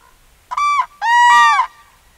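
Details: Common crane in autumn, two loud bugling calls, a shorter note followed by a longer, steady, trumpeting one full of overtones, with only faint background otherwise.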